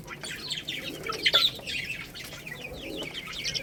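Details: Baby chickens eating rice, giving a dense, overlapping chorus of thin high chirps and short down-slurred peeps. A few louder notes rise in the middle, with faint tapping throughout.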